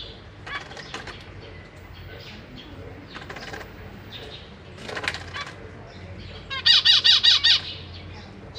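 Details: Zebra finches, parents with three juveniles and three young babies in a big cage, 6 May 2023: scattered buzzy chirps, then a loud series of six nasal, harmonic calls given about three per second, with soft fluttering throughout.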